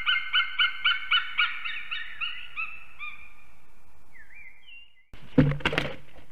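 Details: Eagles calling on a nest in Ķemeri, Latvia, on the morning of 8 March 2024 while mating; rhythmic yelps slow down and fade into a few drawn, wavering notes, then a loud rustling, thumping burst near the nest camera.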